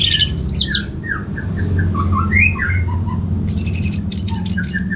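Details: Orange-headed thrush, a kept bird in Singaraja, Bali, set off by a played recording: a rapid varied medley of slurred whistles, downward slides and high chattering notes, ending in bright repeated high tones, over constant low hum.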